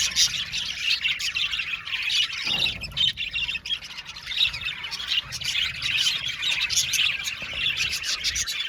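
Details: Lively budgie chorus of rapid, overlapping chirps, squeaks and warbles that never stops, with a soft thump partway through.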